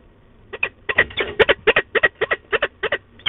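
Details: Female peregrine falcon grumbling at De Mortel on 15 October 2021, harsh rasping paired notes repeated about three to four times a second in uneven chatter.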